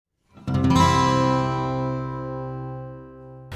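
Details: A single strummed acoustic guitar chord rings out and slowly fades, with no animal sounds.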